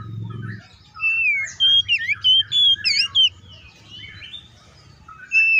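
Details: Oriental magpie-robin giving a run of clear whistles, downward slurs and quick chips, flanked by quieter warbling and a brief low noise at the start; intended to provoke other magpie-robins.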